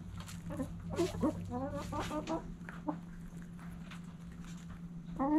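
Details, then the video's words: Backyard hens clucking at morning sunrise: a run of quick, stuttering, harmonic clucks over about two seconds, then scattered single clucks and a rising cluck at the end, over a steady low hum. "Backyard Chickens Morning Sunrise Long Video Sounds Noises Hens Clucking Roosters Crowing!"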